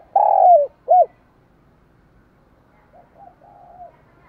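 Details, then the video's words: Spotted dove cooing, from a recording used for daily voice training of doves: two loud, low, hollow coos, a long slurred note then a short one, followed by softer, fainter cooing notes in an otherwise quiet background. "Tiếng chim cu gáy hay dùng luyện giọng chim cu gáy mỗi ngày"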